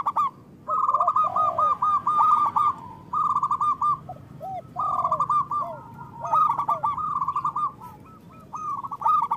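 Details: Local zebra dove singing strongly, its voice used as bait for trapping and to stimulate lazy or moulting doves; repeated rippling coo phrases with soft swooping notes between, steady rhythm with brief gaps, faint hiss behind.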